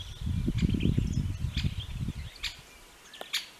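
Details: Great spotted woodpecker at Neljän Tuulen Tupa, Finland, in March 2023, giving sharp, abrupt single 'kik' notes roughly once a second, over a low wind rumble and faint twittering of small birds.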